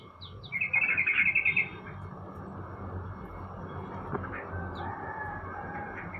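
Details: Sooty-headed bulbul sunned in the morning, delivering a fast, even trill of bright chirping notes for about a second, followed by quieter scattered calls against a low, continuous rumble.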